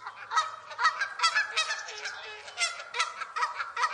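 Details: Domestic goose on a farm giving a steady run of loud, nasal honks, roughly two or three per second, harsh and rasping, with no other animals or background noise.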